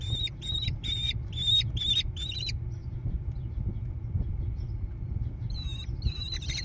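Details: American kestrel chicks in a gravel nest box on a barn near Prairie du Chien, Wisconsin, USA, June 14, 2022, nest cam: six quick raspy screeches, a long gap of low hum, then a few fainter screeches at the end.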